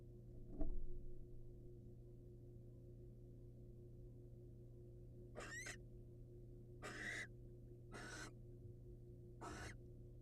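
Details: A wild barn owl pair during prey presentation by the male: an early thud, then four raspy hissing screeches in the second half, spaced one to one and a half seconds apart, over a low droning hum.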